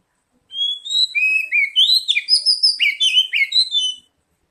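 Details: Lure recording of oriental magpie-robin song meant to prompt quick singing: one continuous three-and-a-half-second phrase of sliding whistles that runs into a dense, fast run of chirpy notes.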